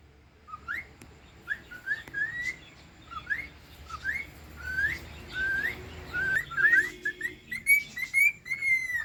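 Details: Cockatiel singing a series of clear whistled notes, mostly short rising upslurs repeated about twice a second. The notes grow longer and steadier toward the end, over a faint low background hum.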